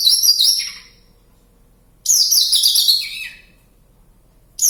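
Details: In the wild near Kediri on Java, a Javan bush lark sings vigorously. Bursts of shrill, rapid twittering about two seconds long, each falling to a lower buzzy ending, are separated by silent gaps.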